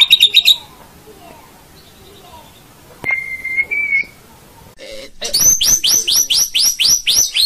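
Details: White-rumped shama tutor song for training caged birds, meant for morning or evening: clear whistled notes and a held flat whistle, then a fast, bright trill of sharply repeated rising notes, about four per second.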